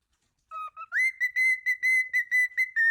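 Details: Cockatiel whistling two soft lower notes, then rising into a string of loud, clear whistled notes on one steady pitch in quick succession.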